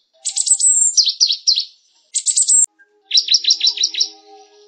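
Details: Java sparrow song recorded as tutor material for training canaries: three bursts of high, rapid chirping and stuttered trilling notes, separated by brief silences, with a sharp click between the second and third phrases.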